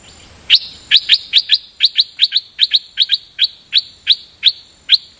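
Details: Dok Taeng bird singing in a double-note (lak boen) style, with a quick run of sharp chirps, often in close pairs, repeating about two and a half times a second over a quiet background.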